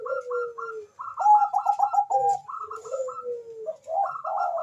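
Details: Bangkok-type zebra dove, a lure recording of a vigorous caller answered by a rival: a drawn-out sliding coo, bursts of rapid staccato notes layered over lower rolling trills, two voices interleaving almost continuously.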